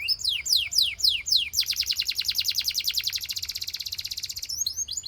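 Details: Belgian canary song meant to set other canaries singing, opening with a few loud descending whistled sweeps, then a long, very fast, even rattling trill before brief upward flourishes.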